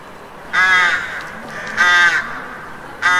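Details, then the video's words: Street crows in the city calling with loud, rasping caws, three harsh notes a little over a second apart, each somewhat drawn out, against faint background noise. "Street Crows Cawing"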